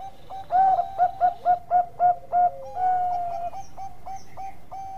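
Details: Zebra dove, Bangkok type, singing vigorously for use as a tutor recording: seven quick, steady cooing pulses, then a long sustained note, followed by a string of faint short clicks.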